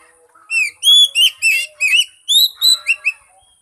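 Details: Lure song of an Oriental magpie-robin, meant to get a mute bird singing. Loud, sweet whistled notes come in separate bursts, with upslurred and downslurred phrases and a faint chattering between them.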